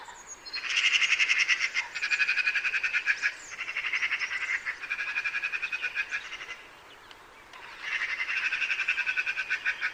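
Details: Eurasian magpie giving harsh, rapid rattling chatter in four bursts of fast, evenly spaced dry notes, with short pauses between bursts and a longer gap before the last; nothing else clearly heard.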